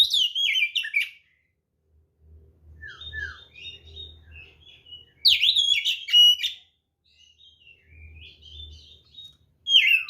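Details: White-rumped shama giving a fighting song to provoke other birds: loud bursts of chattering, whistled notes at intervals, with softer warbles between and a low hum in the background.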